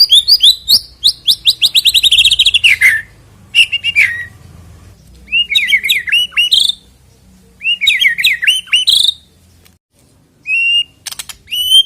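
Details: White-rumped shama song meant to trigger singing before a bird contest: a fast descending trill, then separated groups of twisting whistled phrases, ending with a few high clear notes.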